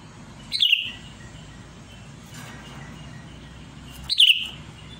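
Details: A Sooty-headed Bulbul, presented as calling to a rival, gives two brief, bright whistled phrases that drop in pitch. The phrases come about three and a half seconds apart over a faint steady hiss.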